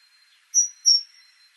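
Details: Two bright, high whistles of the same pitch from a great tit (Parus major), spaced roughly 0.3 seconds apart, with quiet background noise.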